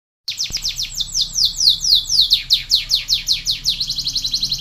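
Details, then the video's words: Canary in energetic song, "gacor" style: rapid series of descending whistled sweeps repeated several times a second, shifting to faster trills near the end, bright and high, little background noise. "Kenari panda gacor dor"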